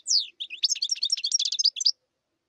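A European goldfinch sings a quick, liquid twitter of bright tinkling notes and buzzy trills, packed tightly for about two seconds, with no other sounds.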